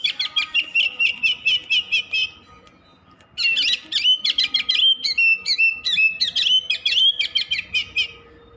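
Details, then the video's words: Nonstop Oriental magpie-robin song: a quick series of about a dozen chirped notes, a one-second silence, then a rich run of sweet whistles and rapid chirps. "Suara kacer_kicau mania yang sllu bunyi gak mau berhenti."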